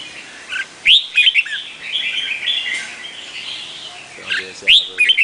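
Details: Vietnamese red-whiskered bulbul singing loud upslurred whistles with jumbled warbling notes, the phrase repeated after a softer gap, with faint low chirping underneath.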